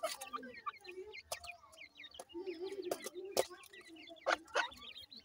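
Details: Grey francolin chicks feeding, giving many thin, high chirps in quick scattered bursts over low, soft murmuring notes, with several sharp tapping clicks.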